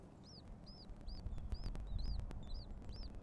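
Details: At a Red-shouldered hawk nest in Wake Forest, 18 April 2023 at 12:11, a hawk gives high, down-slurred squealing notes about twice a second, over a steady low rumble with occasional clicks.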